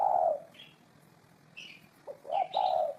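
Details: Low dove coos at the start and end, typical of the spotted dove, with high, thin chirping from another bird in the quiet gap between them.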